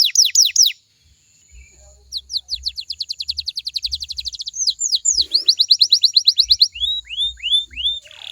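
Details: Canary song meant to make other canaries sing back. A quick burst of descending whistled notes, a pause, then a long fast run of downslurred notes. A brief buzzy passage and slower rising slurs close it, over faint low thumping.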